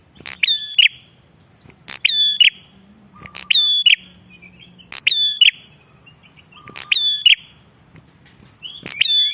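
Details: Lively calls of a bar-winged prinia, meant for luring wild birds and tutoring caged ones. Five identical bursts roughly every 1.7 seconds: a crisp click, a high ringing whistled tone, and a closing click. Occasional soft chirps come between them.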